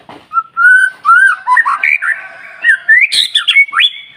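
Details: White-rumped shama song used to stimulate other shamas to sing: rich whistled phrases sliding and rising, mixed with harsher squawky notes climbing higher toward the end.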